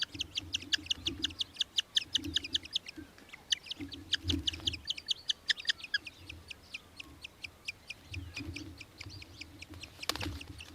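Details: An Australian hobby in Victoria, Australia, in December gives a long, rapid chatter of sharp, shrill notes, several each second, under a faint low rumble.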